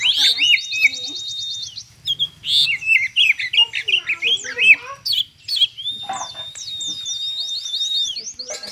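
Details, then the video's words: Oriental magpie-robin 'konslet' song, used to prompt reluctant birds: buzzy trills over held whistles, a busy middle of mixed chirps and slurs, then a long steady whistle with rapid ticking overlaid; faint low hum. "Kacer konslet cocok untuk pancingan burung kacer malas bunyi"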